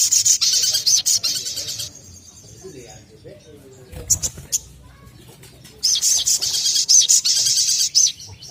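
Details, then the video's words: Little spiderhunter song used as a lure recording to get other birds singing: bursts of rapid high-pitched chips at the start and end, with a quiet gap and a brief burst in the middle. "SOGON gacor narung cocok untuk pancingan SOGON bahan agar cepat bunyi rajin dan gacor"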